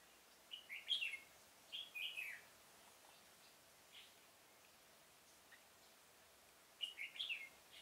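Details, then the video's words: Decoy red-whiskered bulbul singing in a pomelo garden to draw wild birds into a trap, October 2017: several quick bursts of liquid, warbling notes that dip and fall, with a brief pause between phrases and a quiet rural backdrop. "Bẫy chào mào Vườn bưởi độc thung chơi sịt cả mồi"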